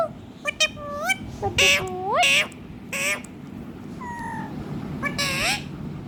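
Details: Talking pet ringneck parrot singing and dancing: rising, speech-like syllables and two broad, noisy squawks. There is a steady double-toned whistle in the middle and a final rasping call.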